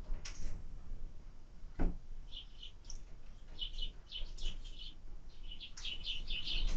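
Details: At a feeder on 20 February 2024, a sparrow having dinner gives brief high chirps in loose groups, growing busier after the midpoint, with one loud click early on and a low rumble behind.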